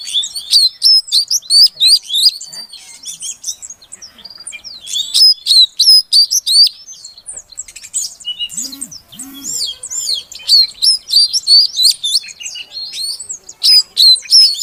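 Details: Female Oriental magpie-robin (kacer betina) calling, used to coax a quiet male into singing; fast bursts of sharp, high whistled notes in rhythmic runs, a brief pause with low buzzy sounds midway, then steady repeated chirping resumes.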